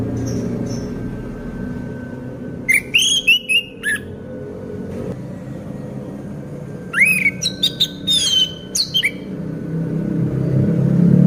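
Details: Caged orange-headed thrush in moult that keeps singing persistently. Two bursts of rapid, rising whistled notes with sharp upper overtones, separated by a few seconds of quiet over a low indoor hum.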